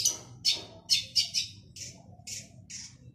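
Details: Male long-tailed shrike singing energetically. It gives short, rasping squawk-like bursts, about eight in three seconds and evenly spaced, over a quiet low hum.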